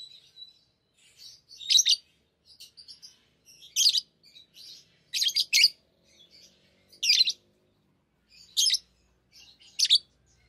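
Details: Pet lovebirds at play with rings, giving loud high shrill chirps roughly every one to two seconds, with soft twittering and a short whistle between them.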